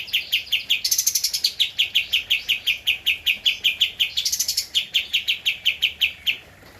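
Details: Javan white-eye, a prolific singer, in an original recording used as a master track for training cage birds: a long, steady series of sharp chirped notes, about four per second, with higher shrill flourishes near one and four seconds.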